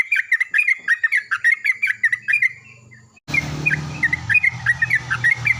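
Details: Yellow-vented bulbul in morning song, replying to another bulbul: quick runs of bright, bubbly warbled notes that continue as a louder background hiss and low hum set in halfway through.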